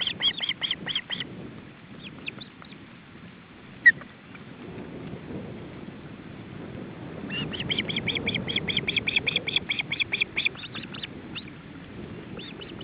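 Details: Osprey at the nest in July 2012, male feeding chicks: a short burst of rapid high whistled calls, a long quiet stretch with one sharp click, then a longer steady run of repeated whistles over low rumble.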